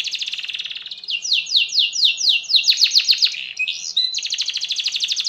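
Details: Canary in long 'gacor' singing, used to stir other canaries to sing: a buzzy trill, then a series of strong down-sweeping rolls, a brief looping whistle and another dense, even trill.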